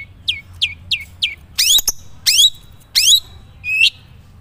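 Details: Madura long-tailed shrike in natural voice, not yet filled with learned phrases: four quick, thin down-slurred whistles, then four louder, ringing, sweeping notes spaced about half a second apart, over quiet background.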